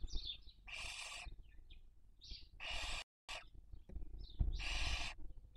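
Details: Barn owl at a webcam nest in Cabañeros National Park, Spain, during the 2023 breeding season: three rough, hissing screeches spaced about two seconds apart, with scattered short chirps and wheezes between them and a momentary dropout.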